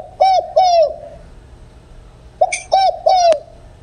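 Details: Spotted dove cooing in the "đồng không hậu" style for trapping decoys: two long arched coos, a silent gap, then a short note and two more mellow coos, with a faint click.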